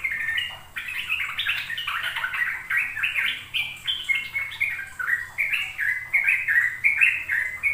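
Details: Sooty-headed bulbul singing in the rapid 'ropel' style, used to teach young birds to sing. Bubbly, slurred whistled notes come in quick, nearly continuous phrases, each rising or falling, with a faint low hum beneath.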